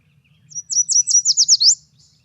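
Yellow Warbler song: a quick, high series of about seven sweet, slurred notes, speeding up and ending in a downward flourish. Faint low hum underneath.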